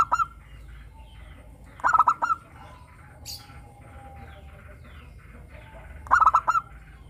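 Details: Local zebra dove singing clearly as a lure to make caged doves sing: a clipped phrase opens, then two fuller runs of fast coo notes about four seconds apart.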